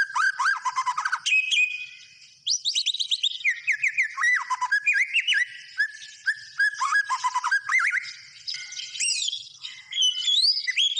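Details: A white-rumped shama delivers an extended, varied song of loud whistles, quick slurs and buzzy trills in dense bursts, with short gaps between phrases.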